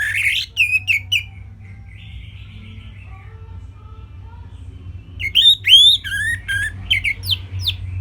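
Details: An Orange-headed thrush sings a simple phrase for training other songbirds: quick sweeping whistles, a silent gap of roughly four seconds, then a louder sequence of rising and falling whistled notes, over a steady low hum.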